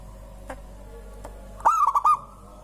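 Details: Local zebra dove whose song prompts other birds to join in singing: after a few faint clicks, one rapid burst of stuttering, resonant coos rings out and stops abruptly.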